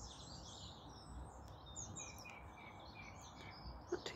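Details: In ash trees beside an urban garden, a Song Thrush sings at the dawn chorus, arriving just over a week earlier; clear whistled and trilled phrases, separated by short pauses, over low rumble, with a few knocks at the end.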